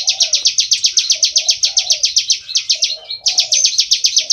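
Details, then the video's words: Vigorous ngebren song of a bar-winged prinia: a rapid string of sharp high notes at about eight per second, a brief softer break after three seconds, then the chipping continues, with low murmuring beneath. "Ciblek Sawah Gacor full ngebren"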